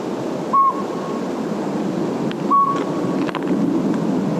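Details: Northern Pygmy-Owl, a tiny owl of oak woodland and riparian canyons, heard in evening or before sunrise, gives two clear, mellow whistled toots about two seconds apart over steady background hiss.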